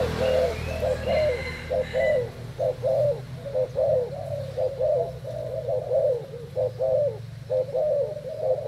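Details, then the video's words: A caged Thai spotted dove cooing in contest gives soft, low, hollow coos in a steady run, about one a second, with a few thin higher chirps near the start. "Cu gáy thailand đấu gù mồi"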